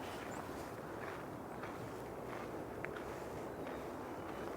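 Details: Outdoor rumble of distant traffic, with soft footsteps and a brief click, and no animal voice heard.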